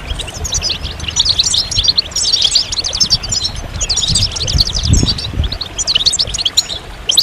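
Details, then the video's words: Fast, jingling goldfinch song: clusters of sharp chirps and sweeping notes come in energetic bursts with short gaps. Low rumbling noise runs underneath. "Magical Goldfinch Songs"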